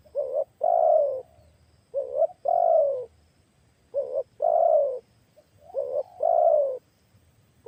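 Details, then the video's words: Decoy spotted dove with a big voice, tested for luring wild doves, gives three evenly spaced phrases. Each is a short double note and then a long, drawn, descending coo, about every two seconds, over quiet background. "Tes Pikat Baru Tekukur Suara Besar Sedap"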